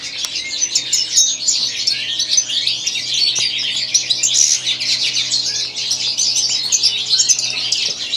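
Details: Continuous song from a white-throated European goldfinch, likely kept indoors: fast, high, jangling twitter of chirps, trills and buzzy notes running without a break, with a soft steady low hum underneath.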